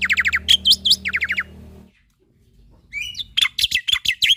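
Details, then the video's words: Rapid chirp series and looping whistles from a male black-winged myna, played to train young starlings; a low drone underneath, a brief lull, then a fresh burst of sharp notes. "Masteran Burung Jalak Putih Gacor Full Isian Untuk Jalak Nusa / Jalak Pito Muda"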